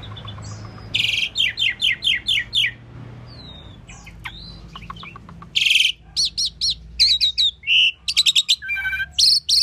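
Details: Asian pied starling song of rapid sharp chirp series and harsh broadband notes, separated by a quieter stretch of soft scattered calls.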